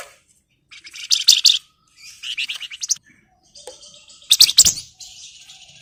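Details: Flamboyan bird in breeding condition, singing hard at a rival with several clusters of sharp, scratchy, high twittering notes. The clusters rise and fall in loudness and are separated by brief gaps.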